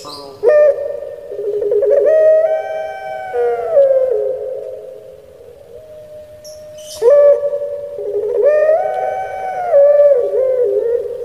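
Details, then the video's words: Caged Barbary dove of the puter pelung kind, Java, Indonesia, repeating its crying-style song twice: abrupt start, long sustained harmonic coos rising in steps then dropping into a wavering gurgle, with a thin held tone between phrases. "𝙋𝙪𝙩𝙚𝙧 𝙋𝙚𝙡𝙪𝙣𝙜 𝙎𝙪𝙖𝙧𝙖 𝙈𝙀𝙉𝘼𝙉𝙂𝙄𝙎"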